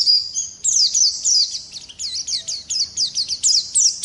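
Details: Continuous rolling song from a ngalas-type Oriental white-eye: a brief thin whistle opens, then rapid, high, bouncy slurred chirps follow in quick succession.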